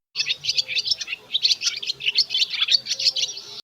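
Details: Swallow calling, played in a Polish children's presentation of bird voices: a rapid, continuous twitter of high chirps and short warbled notes running without a break.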